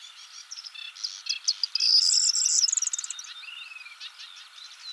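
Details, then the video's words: Male corn bunting singing from a twig in the Czech Republic: a jangling, accelerating cluster of dry, clicking notes rising into a glassy, fizzing trill in the middle, over a steady background of insect-like buzzing. "Bird sounds – Corn bunting (Emberiza calandra)"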